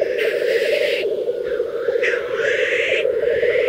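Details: Black grouse at a mating-display lek in Teesdale, North Pennines, UK: a steady, low, dove-like bubbling rolls on without pause, broken by two harsh, sneezing hisses.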